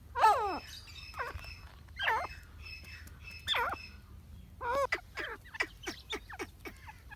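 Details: Grey francolin giving a series of harsh, looping notes at irregular spacing, speeding into a faster run of shorter notes toward the end, over a faint low hum.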